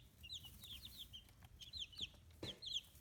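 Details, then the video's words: Fifteen-day-old chicks on a free-range poultry farm in Kitahiroshima, Japan; scattered high descending peeps in small groups, punctuated by a few sharp taps. "生後15日 羽も生えてきた可愛い雛 Chicks Chirping Sounds"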